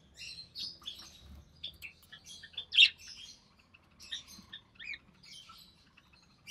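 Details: Recessive pied budgerigar chick from June 2020 in a cage during feeding by the mother; high scratchy chirps and chatter in irregular bursts, one louder squeak near the middle.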